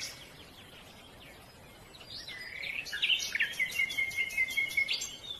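Grey-headed bullfinch giving soft, level piping whistles, one drawn out for over a second, with faint higher chirps and a steady background hiss.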